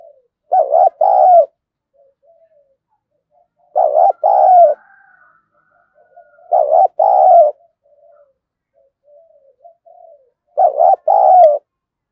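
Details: Caged decoy spotted dove performing its Thúc, Gù and gáy Gọi calls. Four loud, low, husky double coo phrases repeat roughly every three seconds, with soft muttered notes in between.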